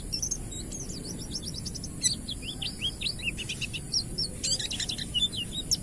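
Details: Oriental white-eye giving ngalas song as a lure for untrained white-eyes: dense, rapid high twittering of short slurred notes, fast and continuous, with a couple of sharp clicks and a low hum behind.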